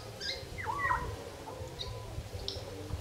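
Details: Wild Grey parrots in Uganda giving their nightly evening chorus around 5:30 pm: short whistled calls, one sliding down then rising, with faint high chirps scattered through a steady low rumble.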